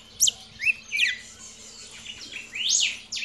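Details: Young red-crested cardinal giving a few separate bright whistled notes, sharp upward and downward slurs spaced by brief pauses, ending in a longer rising phrase; low background hum present.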